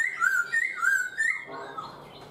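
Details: Caged four months, a black-throated laughingthrush whistles a clear, mellow phrase of falling-then-rising notes repeated three times in quick succession, then trails off softly.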